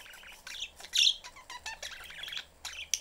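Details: Budgerigars at home, a family of three in their cage, the young bird seeking attention; dense rapid chatter of shrill chirps with one louder squawk near the middle.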